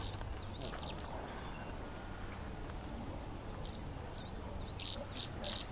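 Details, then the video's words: Tree swallows trying to establish territory near a nest cavity at Walden Ponds Open Space, Gunbarrel, Colorado, 15 April 2017, give brief, high, liquid chirps, scattered at first, then a quicker run of bright notes over low rumbling wind. "Tree Swallows"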